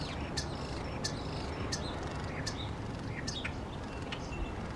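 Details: Starling mimicking other birds: high thin whistles and sharp clicking notes repeat about every second, with some short buzzy phrases, over a steady low rumble of background noise.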